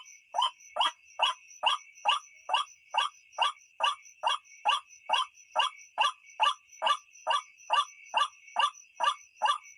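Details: Steady white-breasted waterhen calling from a recording used to lure birds at night: about twenty-three raspy, croaking notes in a regular rhythm of over two per second, above a constant high insect-like ringing.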